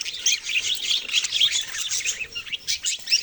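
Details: A short burst of lively budgerigar twittering, with bright, high chirps and squeaky warbles overlapping from several birds.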